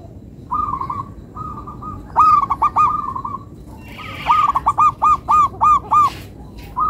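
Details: Local zebra dove singing melodiously: soft rolled trills, then bursts of clipped, bouncing coos, and a final run of about seven evenly spaced, sharply accented notes; faint rustle in the background.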